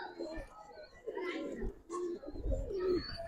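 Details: Giribaz pigeons give soft, rolling coos in uneven bursts, with low thumps and a faint voice behind them.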